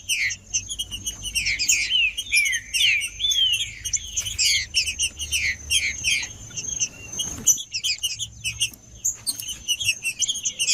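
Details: Male green-winged saltator singing 'macheando' to warm up other birds: continuous tangle of quick falling whistles and sharp high notes, briefly broken by a soft knock, then resuming in rapid phrases.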